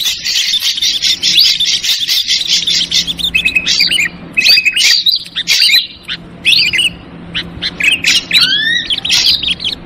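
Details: Ashy drongo calls used as a bird lure, 'trucukan ribut' style: an opening run of rapid repeated chattering, then scattered whistled and slurred notes. It closes with a stacked series of downward-sweeping whistles over a steady low hum.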